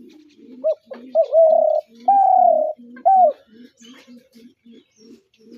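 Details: Spotted dove giving its coo call: a short hooked note, then two long, steady, mid-pitched coos and a final short coo, with soft low murmuring notes underneath.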